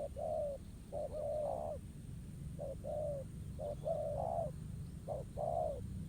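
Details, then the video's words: Spotted dove cooing in response to a ground decoy during trapping, a fighting-spirited wild male answering; low mellow coos come in short grouped phrases, about three phrases over six seconds, over a steady low rumble. "bổi gù quá tốt"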